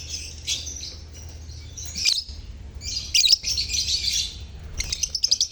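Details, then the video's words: Chirping lovebird colony meant to stimulate silent lovebirds to sing: dense, shrill, chattering bursts of many birds at once, pausing briefly between three main bouts, with sharp clicks and a faint low hum. "Pancingan Suara Lovebird Koloni untuk pancingan lovebird bisu"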